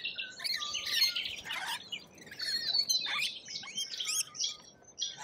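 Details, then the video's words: Lorikeets in Australia: a busy flock of shrill, harsh screeches and chirps overlapping high in pitch, with brief thin whistles woven through and rapid bursts of squabbling chatter. "Australian wildlife Lorikeet"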